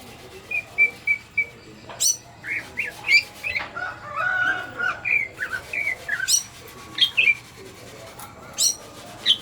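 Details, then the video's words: Greater green leafbird in breeding condition, delivering a varied song of whistled notes, rapid chattering phrases and sharp high chips, repeated in quick bursts with brief pauses. "Inilah TANDA BIRAHI Burung Cucak Ijo"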